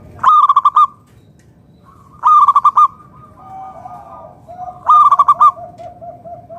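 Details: Lively local zebra dove, known as perkutut, singing a strong song meant to coax other doves into answering: three loud phrases of five or six quick, clipped coo notes, about two and a half seconds apart, over quieter dove cooing.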